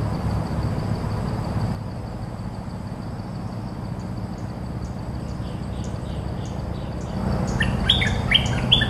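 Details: Cream-vented bulbul; song; territory owner answering rival calls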